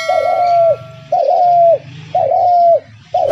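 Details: Spotted dove kept as a hunter's decoy in a trap cage, calling: low, mellow drawn-out coos, each slightly falling at the end, repeated about once a second in a steady series, with a faint steady tone underneath.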